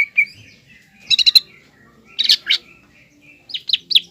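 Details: Green leafbird singing to agitate a young speckled leafbird. Brief whistles come between clusters of three or four harsh high chips, spaced about a second apart, in otherwise quiet surroundings.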